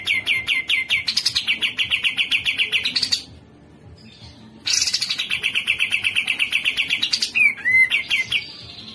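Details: Grey-cheeked bulbul singing two bursts of rapid, high, rattling notes, each lasting about three seconds and separated by a short silence. The second burst ends in a few looser, slurred whistles.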